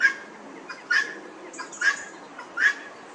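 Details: Helmeted guineafowl in an English churchyard, Northamptonshire, giving short, clear, slightly squeaky notes spaced under a second apart, with softer clicks between them over a quiet background.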